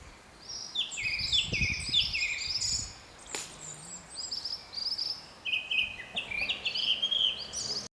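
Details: A Japanese thrush sings in the highlands, giving rapid, varied high whistled and trilled phrases, with a sharp click midway and some low rumbling noise early on.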